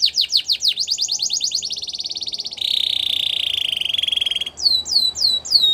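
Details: Belgian canary song for canary training: fast rattling tours of repeated notes, first steep downward sweeps, then a buzzy trill, a long steady rolling trill, and closing repeated upswept whistles.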